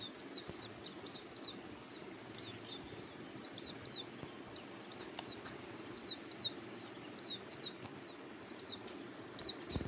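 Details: Cuckoo babies calling from the nest for food: a rapid run of short, high, falling squeaks in uneven bursts over a constant hiss, with occasional faint clicks.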